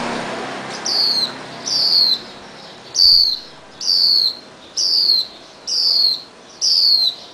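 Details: Swinhoe's white-eye family: a possibly injured fledgling, released after days caged while parents fed it through the bars, hops on a garage steel beam as parents bring red berries; bright, high, downslurred chirps repeat about once a second, seven in all.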